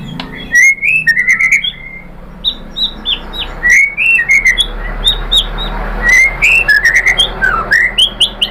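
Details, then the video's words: White-rumped shama (murai batu) song used as a lure to provoke other shamas to answer and sing: varied clear whistled phrases around two to three kilohertz, short rising and falling notes, with sharp high ticks and brief pauses between bursts. "pancingan AMPUH‼️ MURAI BATU ikutan NYAUT GACOR BONGKAR MATERI"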